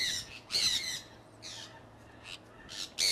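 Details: A flock of pet conures out flying in Iowa in early spring 2003: harsh, loud squawks come in short bursts about every second, with quiet gaps between and a low background hum.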